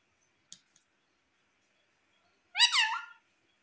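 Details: Pet talking parrot, said to repeat "Mummy": after two faint clicks and silence comes one short, loud, harmonic squawked syllable that bends down and then up, lasting under a second.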